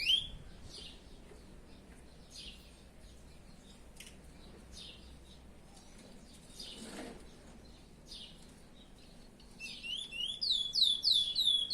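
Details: Chestnut-bellied seed finch (curió) owned by its keeper, singing: faint scattered chirps and short notes for most of the stretch, then a loud run of clear whistled, down-slurred notes repeated rapidly near the end.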